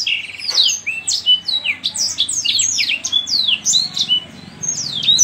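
A yellow-fronted canary sings a fast, unbroken stream of high, sweeping whistles and twittery trills, rising and falling in quick succession over a faint low hum.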